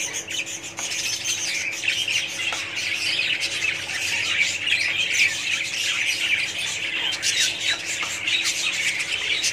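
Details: A budgerigar colony keeps up nonstop chattering, with busy warbling and harsh squawks layered over one another, occasional sharper calls rising above the mass of voices, and a low hum beneath.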